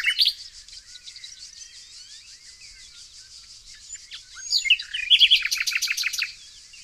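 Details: In northern Iran's Mazandaran province, near Tonekabon, a Nightingale sings: a short opening note, a long quiet gap, then a fast, even trill of repeated clipped notes, all over a persistent high-pitched insect drone.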